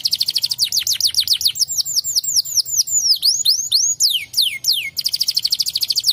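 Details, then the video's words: Canary song meant to make other canaries answer: quick runs of high falling whistles, looping up-and-down notes, a few long descending slurs, then a rapid repeated trill. "Kenari Mana saja Langsung Nyaut dengar kenari ini"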